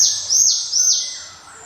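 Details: Java sparrow with a ringing 'cemelenting' voice: three quick, very high, bell-like notes, each sliding downward, run together in under two seconds.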